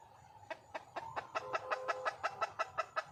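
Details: A wild junglefowl hen calls for a mate. After a brief quiet start, clipped clucks begin and settle into a quick regular beat of nearly three per second, growing slightly louder.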